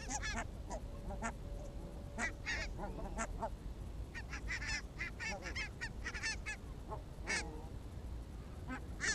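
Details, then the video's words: Barnacle geese on an evening walk in Arabia, 1 October 2014: a flock giving many short, sharp, yelping honks in rapid, overlapping bursts throughout, with steady low background rumble. "Valkoposkihanhien iltakävely Arabiassa"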